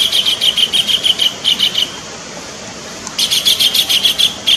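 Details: Kingfisher calls used as a lure to attract birds: bursts of rapid, harsh, high chattering notes, about three per second, with a pause near the middle before the series resumes.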